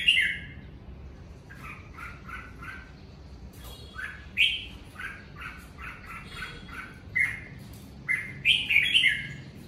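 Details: Red-whiskered bulbul singing naturally at home during covid time: repeated short two-part whistled phrases, several per second in bursts, with louder bright warbles near the start and end.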